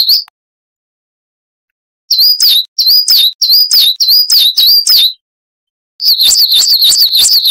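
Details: Coal tit singing a training song for cage birds: after a pause, a string of spaced, thin, high see-saw phrases, then a second, faster burst of repeated wucit notes.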